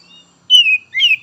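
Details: Oriental magpie-robin (kacer), an untrained young bird of the spotted 'trotol' stage, used to stimulate other birds. Two clear whistled notes: a long falling whistle, then a short rising-falling one, with a faint click at the end.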